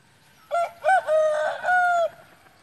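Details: Rooster giving a loud, clear cock-a-doodle-doo: a few short, choppy opening notes followed by a long, level, held final note, with little background noise.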